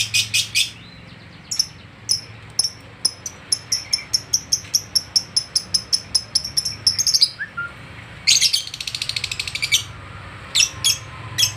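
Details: Lovebird made agitated on meeting another lovebird; a long run of sharp, high, rapid chirps repeated several times a second, then a harsher buzzy burst, over steady low background hum.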